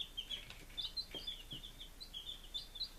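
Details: Five-day-old baby chickens recorded on 23 July 2017 in Lunenburg, Massachusetts, giving a steady stream of short, high peeps that rise and fall quickly, overlapping, with a few faint knocks underneath.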